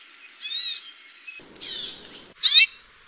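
An amakihi gives three separate high, buzzy, slightly slurred notes spaced about a second apart, with a faint low rumble behind the middle note.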